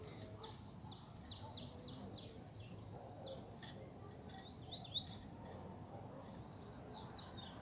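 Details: Saffron finch singing in the background during a field outing in the brush with caged and wild coleiros: a quick series of high, downslurred chirps, about three per second, with another bird's sharper notes and a low rural hum.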